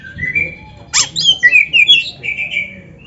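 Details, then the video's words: Oriental magpie-robin singing in a training recording for kept birds: a thin rising whistle, then a sharp downward buzzy note followed by rapid, varied warbled slurs and a final steady whistle. "Suara Burung Kacer yang Cocok Buat LATIHAN"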